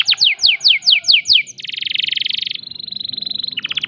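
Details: Canary in breeding condition delivering six loud downslurred whistles, then a dense buzzy trill, a thin steady whistled tone, and a final burst of sharp notes.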